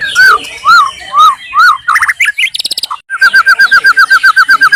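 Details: In Indonesia a wild white-rumped shama sings loud arched whistles spaced about half a second apart, then a buzzy rattling passage, then a quick run of repeated whistled notes.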